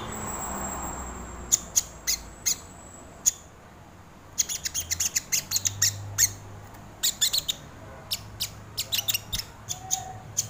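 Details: Crimson sunbird lure recording for training birds, opening quiet with low hum, then scattered sharp high ticks building into fast clusters of piercing chips.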